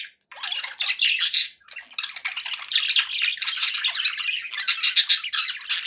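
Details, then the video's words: Happy budgies chattering: a brief pause, then buzzy warbles, sharp chirps and tiny whistles tumbling over each other, bright pinging notes standing out. "happy budgie sounds"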